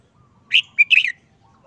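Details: Short, simple song phrase from a caged red-whiskered bulbul in moult after its cover was removed, seeming subdued: a sharp whistle, a brief clipped note, then a warbled slurred note falling at the end, with a near-silent background.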